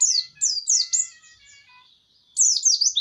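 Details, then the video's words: White-eye song: quick runs of high, thin, down-slurred notes with faint steady tones underneath, a short pause, then a fresh burst of rapid chirps. "Video Burung Pleci"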